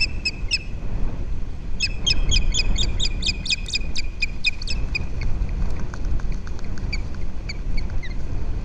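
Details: Osprey at a nest camera on Captiva Island, Florida, USA, January 19, 2023: a few high chirps, then a rapid run of shrill, whistled chirps, tapering to scattered single notes, over heavy low rumbling wind noise.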